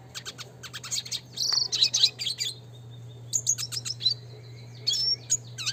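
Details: Classic red siskin song for bird training: bursts of rapid high chirps and buzzy trills, a long thin whistle, then more clipped notes and a rising slur, over a constant low hum.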